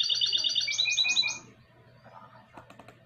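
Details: Goldfinch and canary cross, 2020, delivering a loud run of rapid high twittering notes and rolling trills for about a second and a half, then falling quiet to faint clicks and low hum.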